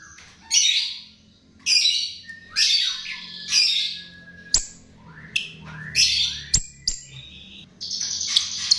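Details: Chestnut-tailed starling song played as a lure. Harsh, scratchy squawking bursts about a second apart are mixed with thin level whistles and sharp clicks. A buzzy, rasping phrase closes the passage.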